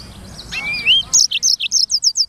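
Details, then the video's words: A black-throated canary, known as sanger, singing prolifically: a long upward-sliding whistle, then a string of short, buzzy high notes repeated rapidly at an even pace, over faint low background noise. "BURUNG FINCH EDEL SANGER / BLACKTHROAT Suara Gacor Materi 100% Jernih"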